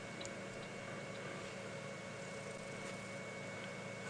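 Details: Steady broadband hiss with constant low hums and faint clicks during a late-afternoon safari drive on April 30, 2017.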